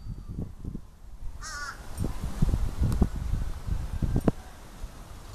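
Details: Crow recorded 4-11-23, giving a single harsh, buzzy caw early on over steady low rumble and rustling background noise.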